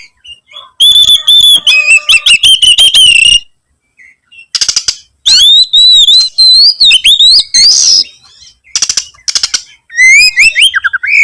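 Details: Oriental magpie-robin singing persistently while searching for a rival: loud, high, sliding whistles and rapid warbled runs, interrupted by harsh clicking bursts and short silent gaps.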